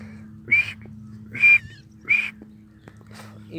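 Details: Grey francolin, locally called Sindhi teetar, calling: three loud, harsh, ringing notes spaced under a second apart, with steady low hum and murmured voices in the background.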